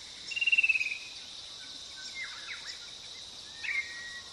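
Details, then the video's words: Fan-tailed cuckoo giving a loud, slightly descending trill of rapid pulses lasting about 0.7 seconds, followed by fainter chirps from other birds and a steady high insect hiss. "Fan-tailed Cuckoo07.flv"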